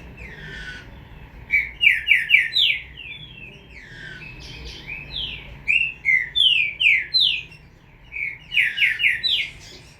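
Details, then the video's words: Young green-winged saltator calling in three bursts, each a rapid run of four to six bright slurred notes separated by short pauses, over low steady hum. "FILHOTE DO TRINCA FERRO"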